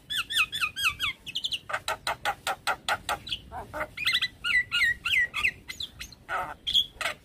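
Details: Javan myna abruptly stressed on hearing a fellow Javan myna call, giving loud, varied notes: paired bent whistles, then a burst of harsh, broadband chacks, then more twisting whistles and squawks in an irregular stream.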